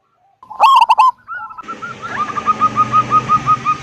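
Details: Local zebra dove with a big voice, singing actively in the deep 'kung' style used to lure other doves into singing: a loud burst of rapid throaty coo pulses, then a softer run of evenly repeated short notes over background hiss.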